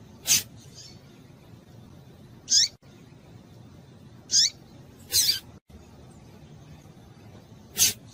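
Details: Double-collared seedeater female in heat, calling to excite males, gives scattered short high-pitched chirps every two seconds or so, with occasional sharp clicks and knocks between them.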